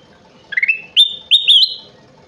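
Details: Golden bulbul (kutilang emas) singing energetically: a stuttering rising note, then two loud, clear whistled phrases held steady and ending slightly higher.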